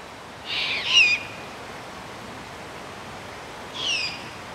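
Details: Great horned owlets, siblings growing from nestlings to fledglings, at a hilltop grove on Strawberry Island above Stow Lake, Golden Gate Park, San Francisco, on a spring or summer evening near dusk: two harsh, hissing screeches, the first longer, about three seconds apart.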